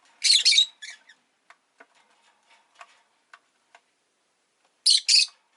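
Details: Rosy-faced lovebird giving loud raspy high chirps at start and end, with a scatter of faint ticking clicks and small squeaks between.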